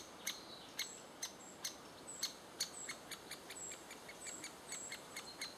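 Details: In June 2011, great spotted woodpeckers feed their chicks; sharp, high ticking calls repeat about twice a second and then quicken, while thin whistled notes from other birds sound faintly.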